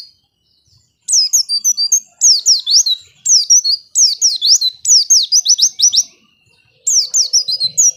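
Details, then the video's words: Lure singing of a white-eye (pleci) for getting lazy birds to sing quickly: a steady series of rapid, high, sharply slurred chirping phrases about once a second, with silence at the start and a faint low noise near the end. "Pancingan Pleci Males Bunyi Agar Cepat Gacor"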